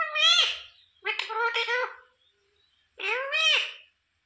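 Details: Pet rose-ringed parakeet talking, said to repeat the words "sita ram": three nasal, raspy, speech-like phrases, the first two back to back and the third after a pause of about a second, with a quiet background.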